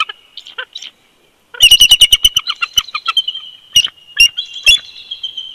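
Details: At a winter nest on an old snag at Big Bear Lake, California, a bald eagle pair calls together on a live nest camera: a few soft squeaks, then a long run of shrill, stuttering chitters followed by scattered sharp notes.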